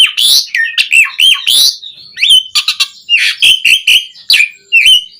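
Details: Asian pied starling song, used to train caged starlings to sing: loud varied whistles with sliding notes, interspersed with harsh raspy bursts and clicks, in fast irregular phrases.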